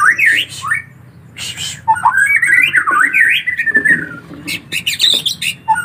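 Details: Begging collared kingfisher nestlings give a run of quick, warbling, zigzag whistles that rise and dip. Short bursts open the passage, and a few sharp clicks follow near the end.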